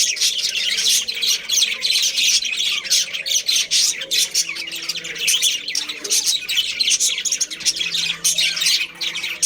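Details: Continuous, thick chatter of a budgerigar breeding colony, countless high chirps, squeaks and short squawks overlapping without pause from start to finish.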